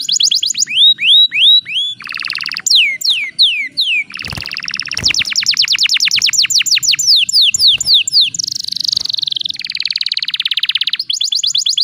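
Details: Canary singing to spur rival birds into song: varied phrases of quick falling whistles, dense rapid buzzy trills and rolling repeated notes, shifting pitch and tempo every second or two.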